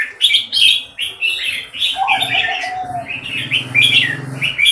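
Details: Red-whiskered bulbul, a bird named Metallica, singing in a contest against another bird, Koryor: loud bubbling, chattering phrases repeated in quick bursts, with a lower drawn-out note midway and a faint low rumble beneath.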